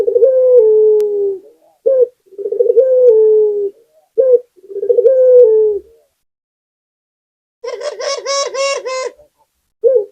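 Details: Local puter dove singing vigorously: several low, rolling coos, each ending in a drawn-out falling note, then a burst of harsher, rapidly pulsed calls before another coo begins.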